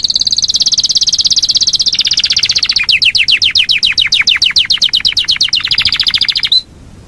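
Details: Yorkshire canary delivering a long rolling song: a dense high trill shifting into evenly repeated sweeping notes for several seconds before stopping abruptly.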